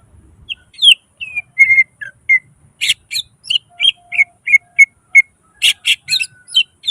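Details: Greater green leafbird (cucak ijo) in lively gacor song, full of nembak bursts and isian mimicked phrases, used as masteran for lazy singers: clear whistled notes and short slurred phrases near the upper-middle range, delivered in quick succession.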